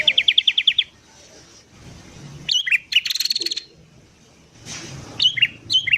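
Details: Sooty-headed bulbul singing lively in the morning, recorded as a lure for wild birds: a rapid run of about eight clipped notes, then short, bubbly, chirping phrases after a pause, with a quiet low hum beneath.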